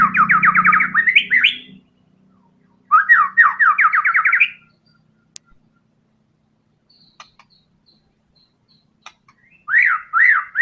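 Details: White-rumped shama singing energetically in the tembakan style: rapid bursts of looping whistled notes, each swinging down and up, about eight per burst, with pauses between bursts and a faint low hum underneath.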